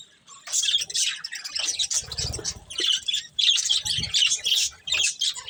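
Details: Budgerigar breeding pair giving buzzy, squeaky chatter in rapid runs, with a brief low rumbling thud in the middle and quick chirps toward the end.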